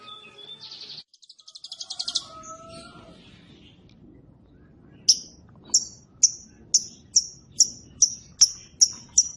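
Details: Lovebird ngekek, a long chattering reply: opening squeaky notes and a rising rattle, then a steady series of sharp high chirps repeated about every half second.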